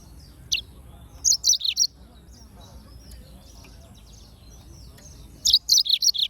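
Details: Two bursts of Yellow-fronted canary song: each a rapid string of four to six high, bright chirps, separated by about three seconds of quiet.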